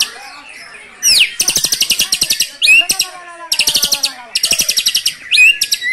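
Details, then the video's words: Caged white-rumped shama from Cilacap, Indonesia, singing hard with brantakan fill: loud swept whistles alternate with dense bursts of very rapid, high, metallic rattling notes, each burst about a second long, repeated several times. "Murai GACOR bongkar MATERI * isian BRANTAKAN"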